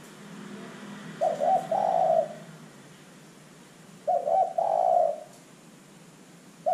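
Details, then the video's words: Spotted dove, a strongly calling bird played as a lure so other birds join in. Two full phrases about three seconds apart, each a choppy pair of notes and then a long rounded coo, with low hum at the start. "LANGSUNG IKUT BUNYI dengan pancingan terkukur GACOR ini"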